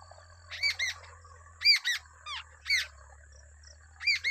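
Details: Wild babbler feeding two chicks; doubled arched chirps in bursts roughly every second, interspersed with single falling squeaks, over a low steady hum.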